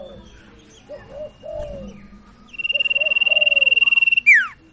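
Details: Sirtu singing as a lure for a bird that has stopped singing: soft slurred low notes, then a steady buzzing trill of about a second and a half that drops into a quick downward whistle.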